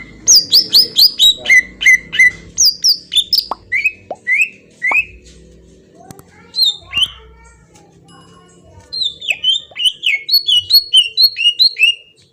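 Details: Green leafbird, a Kalimantan bird, singing a lure song meant to draw a reply: loud, fast runs of sharp, downslurred whistled notes. Some phrases are high and ringing, others lower. A quiet gap falls mid-clip, then the rapid phrases resume, over faint low hum.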